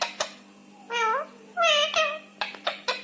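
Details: Rescued Indian ringneck parakeet talking: quick clicks, then two nasal voiced phrases with rising and falling inflection, followed by a string of sharp, bright squeaky syllables.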